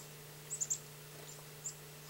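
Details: A chickadee in Bemidji, Minnesota gives three quick, very high, thin chip notes, then a single matching note a second later, over a steady low electrical hum.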